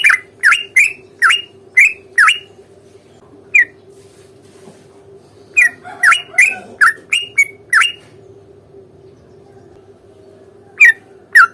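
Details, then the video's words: Fighting song of a sooty-headed bulbul, used as a lure so that other birds answer: bursts of crisp, slurred chirps, a lone note, then a second fast burst and two final notes after a quiet gap, with a steady background hum. "trucukan gacor tarung ROPEL PANJANG pancingan trucukan agar bunyi JADIKAN burung trucuk GACOR nyaut"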